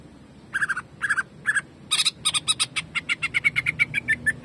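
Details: Greater green leafbird singing in jamtrok style, used as a master recording for training. Slurred double notes give way to a fast run of sharp, repeated chips, about five per second, with a faint low hum underneath.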